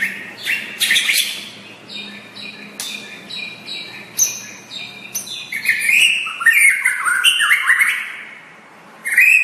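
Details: White-rumped shama singing, a varied string of loud whistled phrases, clear fluty notes and sharp chips shifting in pitch, with a low hum in the background.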